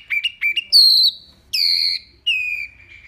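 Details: Wambi mini giving clear, loud song for tutoring other birds: paired short rising chirps, then long drawn, slightly falling whistles, each held nearly half a second.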